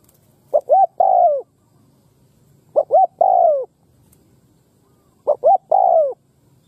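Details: Spotted dove, newly caught and in molt, said to coo well: three-part phrases of two short rising notes and a longer drawn-out falling coo, repeated every two to three seconds with silence between.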